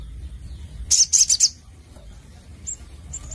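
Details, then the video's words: Sogon sunbird in lively 'gacor nembak' song: four quick, loud, very high piercing notes in a tight burst, followed by a few faint high chips against quiet low rumble. "Burung Sogon Gacor Nembak Nglaper"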